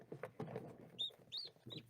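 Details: Newly hatched naked-neck domestic chick, light-coloured and only a few hours old, in a home incubator on the last day of incubation at night while other eggs pip; three clear, high, arched peeps amid handling rustles and soft thuds.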